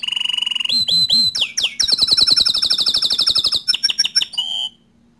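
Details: Bottle-green canary singing for young and untrained canaries to learn from: a steady trill, a few looping whistles, then a long rapid rattle-like roll and sharp chips before the song stops.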